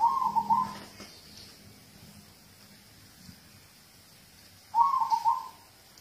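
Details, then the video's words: Zebra dove, local type, whose song serves to prompt other birds to sing: two brief low trilled coos, one at the start and one near the end, with quiet between. "Audio terapi perkutut lokal untuk pancingan"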